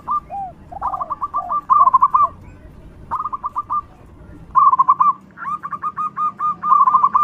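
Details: Zebra dove, local type, singing a loud song used as a lure for other doves: groups of quick staccato notes with rolling trills, separated by pauses, with soft lower coos early on.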